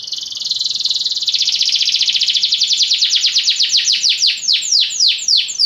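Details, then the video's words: Belgian canary producing a steady buzzy tone that turns into a quick trill, its notes spreading out into clear downward sweeps toward the end. "Canários belgas atraem o som das canções preguiçosas dos canários"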